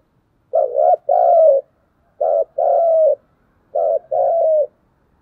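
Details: Spotted dove giving a dueling 'thúc gù' coo. Three low, hollow phrases, each a short double-pulsed note followed by a longer, slightly falling coo, repeated about every one and a half seconds in a quiet setting.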